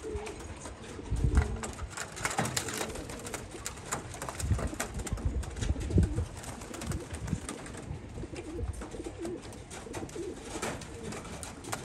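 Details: Homing pigeons give deep, muffled coos in scattered bursts, mixed with scratchy rustling, fluttering and clicking noises over a steady background hiss.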